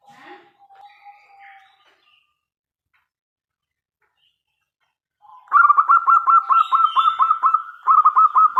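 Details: Zebra dove of local stock, a strong, steady singer with a big voice, played to draw replies from other doves; after soft opening notes, a loud, rapid run of clipped, repeated cooing notes pours out almost without pause.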